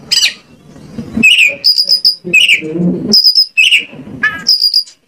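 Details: Lure song of an Oriental magpie-robin, intended to make other magpie-robins answer: high held whistles alternate with rich downward-slurred notes, with low background noise between the phrases.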